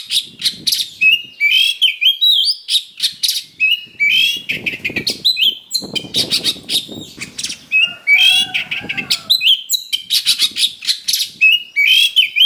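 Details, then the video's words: Oriental magpie-robin (kacer) singing a loud, harsh, energetic song used to provoke fighting: rapid bursts of high chattering notes, buzzy trills and short rising whistles, densely repeated, with some low rustling and knocking noises midway. "Suara Pancingan Kacer Super NGOTOT Gacor Tarung Full Isian Kasar"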